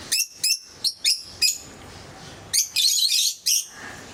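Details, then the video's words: Pet lovebirds in assorted colour mutations call in a fast series of sharp, high squeaks, five spaced notes, a short lull, then a louder, denser burst of shrill chattering. "Sounds of love birds"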